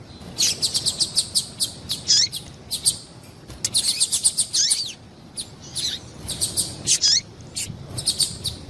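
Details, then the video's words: Female double-collared seedeater call played to excite males; long, lively series of high, clipped chirps in rapid runs, several ending in downward sweeps, with brief gaps between bursts. "Melhor Piado de fêmea de papa capim para Foguear e Esquentar papa capim"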